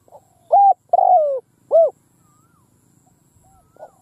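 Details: A decoy spotted dove calls across a field to attract wild doves. It gives one strong phrase of three low coos: short, then long and descending, then short and arched. Faint answering coos follow from farther away.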